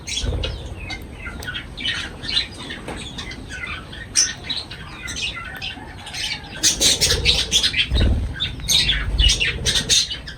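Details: Pet lovebirds feeding, uttering rapid irregular high chirps and squawks that grow busier and louder in the second half, with low thumps and rustling beneath.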